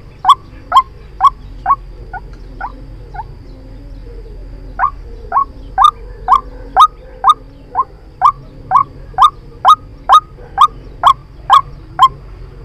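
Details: Decoy recording of a white-breasted waterhen for bird trapping: repeated hoarse, upslurred notes at a brisk two-per-second pace, a pause of about a second and a half, then a long unbroken series.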